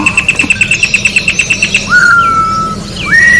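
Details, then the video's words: Orange-backed troupial singing in nature: a quick run of about fourteen sharp ticking notes, then a long clear whistle that rises and slowly slides down, ending with an upslurred whistle over a low background hum. "Corrupião Cantando na Natureza melhor canto pra encarte Corrupião"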